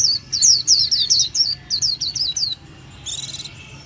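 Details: Japanese white-eye gives about a dozen quick, high, falling whistled notes, then a softer, buzzy, chattering phrase.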